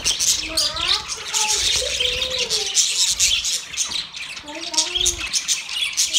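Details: Budgerigars during mating give an unbroken, high, chattering warble, overlaid by lower curved, speech-like tones that rise and fall through the passage.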